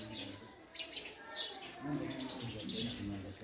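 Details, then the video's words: House sparrows fighting over a nest site while building a nest in a house; scattered short, bright chirps sound among low background rumble and faint hum. "House Sparrow Making Nest in House - Sparrow Bird Fighting For Nest"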